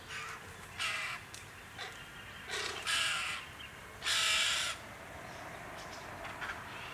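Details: White-winged choughs (Corcorax melanorhamphos), a clan in the Capertee Valley, NSW, Australia, in October 2018, in open forest, woodland or farmland, give harsh, grating rasps in irregular bursts, the longest about half a second, with quieter scratchy notes between.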